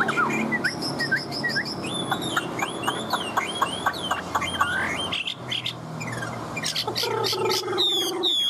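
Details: Caged Chinese hwamei in full singing form: a dense, varied run of whistled slurs, sweeps and rapid trills, with short clicking note series. Other bird sounds and background music are mixed in.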